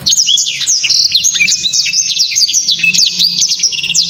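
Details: Loud, dense song of a blacktrod, a bird valued by Indonesian song-bird keepers for its hard, tight delivery; unbroken rapid stream of high piercing whistles, quick downslurs and upsweeps throughout, with a faint low hum beneath.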